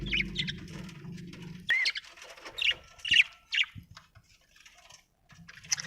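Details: Budgerigar chirping with short scratchy notes and a few clear whistled upslurs, broken by pauses; low hum early, faint tapping sounds later.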